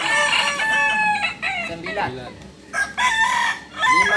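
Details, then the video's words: Balenggek roosters compete at a landiak-class crowing contest in Ampang Kualo, Solok city, on a Sunday. Bright, drawn-out crows rise and fall in separate bursts with short gaps between them, over background crowing and murmuring people. "Kontes Ayam kukuak balenggek kls landiak"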